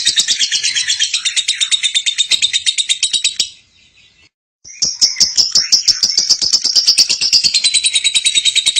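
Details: Female lovebird singing for tutoring other birds: rapid, shrill, buzzy chatter that stops for about a second. It then restarts with rising, scratchy notes.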